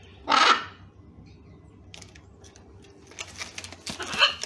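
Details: Blue-and-yellow macaws in the wild, parents with a baby learning to eat banana: one sharp, raucous squawk at the start, then a burst of scratchy, noisy calls and rustling.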